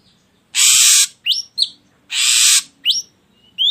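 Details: Ashy drongo song played to provoke other birds to sing: two long harsh hissing bursts, each followed by a pair of quick upward-sweeping whistles.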